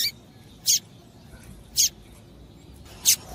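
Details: Female double-collared seedeater calling to excite the male: three thin, sharp, high chirps about a second apart, evenly spaced, over a quiet hissing background.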